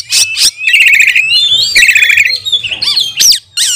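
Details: Oriental magpie-robin singing to provoke and train other magpie-robins: sharp chips lead into long scratchy buzzing trills, then bright looping whistles and quick notes, with a faint low hum.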